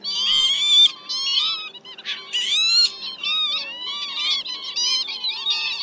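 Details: Northern lapwing calls used as a lure for net-trapping migrating birds at night: loud, harsh, rising and falling cries with nasal overtones, given in quick irregular bursts, with a brief low hum at the start.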